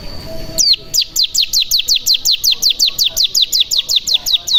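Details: Bar-winged prinia lure call: after a faint steady tone, a long steady series of high downward-slurred chirps begins, about three notes per second, evenly repeated.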